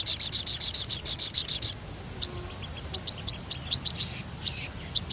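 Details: Sogon singing as a lure to make other birds sing: a loud fast roll of bright high chirps for almost two seconds, then spaced single ticks and short chirp groups.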